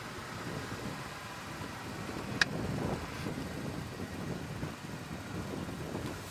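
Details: Steady vehicle engine rumble and wind noise with a single sharp click, and no animal voices.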